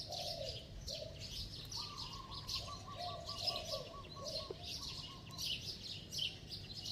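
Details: Spotted dove with a bell-like voice, plus a fast run of rapid repeated coo notes, a quick-paced stutter of low hollow pulses, over dense high chirping from other birds.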